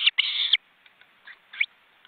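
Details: Osprey nest in an Estonian forest reserve, recorded by webcam, where big chicks beat their wings. A short sharp note is followed by one long, harsh, level squeal, then faint soft notes.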